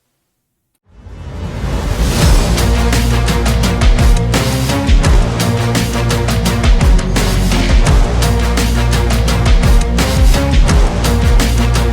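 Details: Loud, driving music with heavy percussion and low bass fills the whole stretch, with no animal voice heard.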